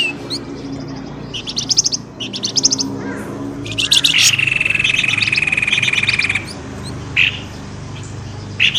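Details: Bird lure for coaxing birds from dense bushes: short, high chirp clusters lead into a long, steady buzzing trill lasting about two seconds, followed by a few isolated sharp notes.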